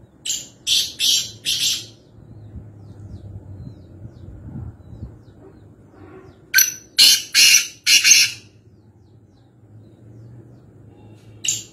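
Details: Black francolin (kala teeter) calling at Nawabshah, Pakistan: a phrase of four harsh, scratchy high notes, a quiet gap with faint low hum, then a longer run of rasping notes and one final note.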